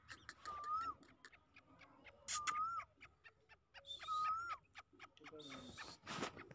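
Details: Grey francolin, a fighting partridge kept by its owner, calling: short clear whistled notes rising then dipping, repeated about every two seconds, among clicks, knocks and bursts of noise.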